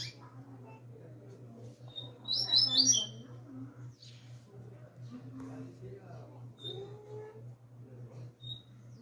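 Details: Young double-collared seedeater coming out of moult sings one brief burst of high, rapid, buzzy twittering notes lasting under a second, over a steady low hum with faint low voices and scattered soft chirps.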